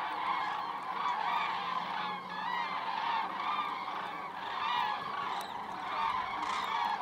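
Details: Huge southbound migrating flock of common cranes over Berry, France, above Jouy, Cher, more than 5000 birds: a loud, dense, continuous chorus of overlapping trumpeting, rolling calls from many birds at once, rising and falling in waves.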